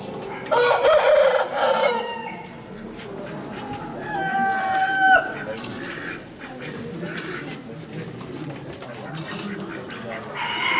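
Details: Gallic rooster at the 2015 national poultry exhibition: two loud, hoarse crows, the first drawn out and harmonic-rich, the second a shorter strained call. Other fowl cluck and call throughout, with murmured human voices in the hall.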